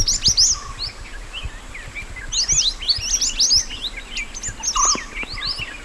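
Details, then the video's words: A natural recording of mountain white-eye song meant as a master track: clusters of sharp, quick up-and-down chirps in bursts with short gaps, a faint lower whistle near the end, and a constant high hum. "MASTERAN SPESIAL MANTENAN GUNUNG ASLI ALAM"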